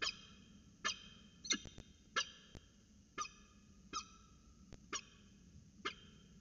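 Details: Peregrine falcons at the Orange CSU nest, recorded 5 January 2020 with slow-motion footage; a quick series of short, rasping calls about once a second, some trailing into a thin whine, with soft clicks and a low hum behind.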